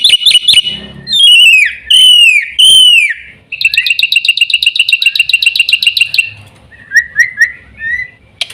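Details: Black-winged myna song: loud descending whistled slurs, then a rapid series of repeated chattering notes for about three seconds, followed by short rising whistles.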